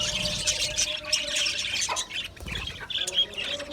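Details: Short burst of busy high chattering from aviary-kept Australian budgies, squeaky chirps and warbles overlapping continuously.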